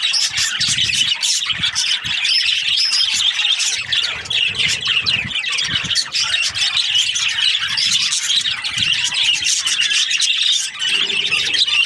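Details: Budgerigars kept as breeding pairs fill the air with nonstop high chattering, squawky chirps and twittering, over intermittent low rumbling knocks.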